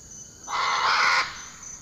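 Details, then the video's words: Great Green Macaw in Costa Rica giving a single loud, harsh, raspy squawk lasting under a second, with a steady high-pitched insect drone running behind it. "Great Green Macaw"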